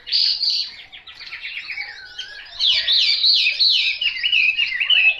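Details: Chinese hwamei singing a fast, varied run of loud whistled phrases, with slurred, looping notes sliding up and down, a brief quieter dip midway, then a bright rolling sequence of rich warbles.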